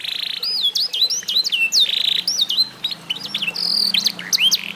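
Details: F1SF canary, eight months old, showing its tutored song: sustained buzzy rolls alternating with quick, bright whistled sweeps rising and falling, delivered in dense bursts with brief gaps, plus a faint low hum underneath.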